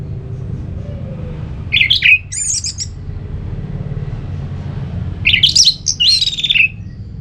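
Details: Orange-headed thrush ngeplong song intended to provoke a sluggish bird into singing: two short bursts of harsh, scratchy jumbled notes, about three seconds apart, against a continuous low hum.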